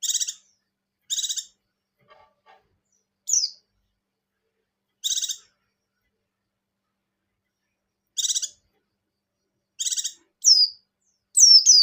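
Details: White-eye (buxtoni type) in breeding condition singing in the ngecir style joined with ngalas: short buzzy, rattling high bursts spaced a few seconds apart, alternating with sharp descending whistled slurs, quickening toward the end.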